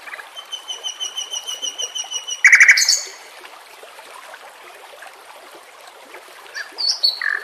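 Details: A white-rumped shama sings over a background of water and nature sounds; a series of clear, evenly spaced ringing notes ends in a loud burst, followed by a pause and a final short whistled phrase.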